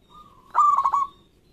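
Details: Captive local zebra dove, loud-voiced, its song used to stimulate quiet doves: a soft steady lead-in note followed by a single loud throaty rolling coo with four quick pulses.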